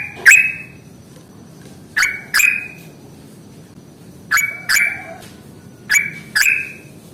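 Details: Yellow-vented bulbul singing ngalas fighting-style song as a lure to get young or lazy birds singing: paired sharp notes, each a click falling into a short level whistle, repeated in three pairs about two seconds apart.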